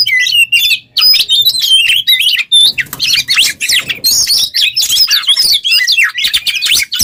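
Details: Oriental magpie-robin (kacer) in full, vigorous song, used as a masteran training model for other songbirds; a dense, nearly unbroken stream of varied high whistles, rapid chattering trills and sharp slurred notes, with only brief gaps across seven seconds.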